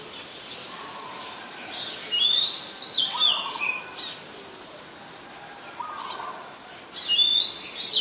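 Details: Oriental magpie-robin, a very common resident, singing in Ubon Ratchathani, Thailand, on 14 October 2021, recorded on a Nikon P1000. Two bright, sliding whistled phrases about five seconds apart, with softer low notes from another bird between them.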